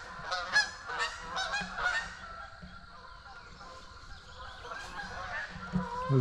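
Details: Canada geese (Branta canadensis) on a lower pond near beaver ponds, October 5, 2024, approaching: honks in a loose, overlapping chorus, loud bursts around the first two seconds, then fainter honks continuing underneath.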